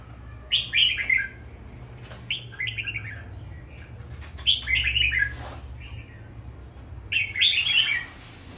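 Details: Pet red-whiskered bulbul kept at home, singing while bird feed is packed: short bursts of bright warbled phrases that slide downward, repeated in groups every couple of seconds over a low steady hum.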